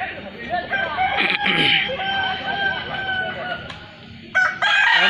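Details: Festival of crowing Balenggek chickens in Solok City. Long, steady, drawn-out crow tones are broken by bursts of quicker notes, with a loud burst of crowing near the end.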